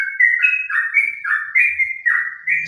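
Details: Ropel-style song of a sooty-headed bulbul, recorded under an overcast sky: a rapid string of bright, slurred whistles stepping up and down, each note swooping, with brief pauses between bursts.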